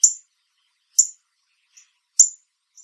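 Northern Cardinal giving sharp, high metallic chips, three loud ones about a second apart with two fainter ones between, over silence.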